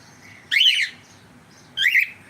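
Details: Cockatiel at home uttering two strong raspy squawks roughly 1.3 seconds apart, each harsh and buzzy with a rising then dipping pitch, in a quiet room.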